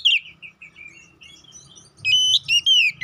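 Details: Lure song of the Oriental magpie-robin (kacer poci) to rouse aggression: a falling whistle and soft trailing notes, then loud sustained flat whistles with sharp upward slides near the end, over faint low hum.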